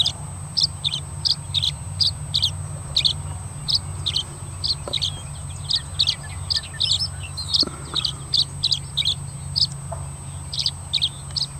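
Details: A male Tree Swallow (Tachycineta bicolor) perched on a crossbar gives its typical song, a repetitious up-and-down run of bright, liquid chirps and twitters, roughly two per second, over a steady thin high whine and a low hum.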